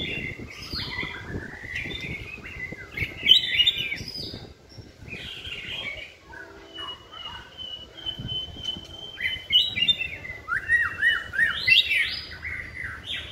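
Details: White-rumped shama singing while being trained, kept caged on a pole: long varied song of fluty whistles, a sustained steady whistled note, then bursts of rapid descending slurs and chatter.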